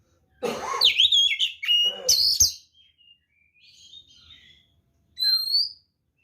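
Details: White-rumped shama fighting song meant to provoke other birds: a loud broadband harsh burst with whistled overtones, then softer scattered whistles and a brief upslurred whistle at the end.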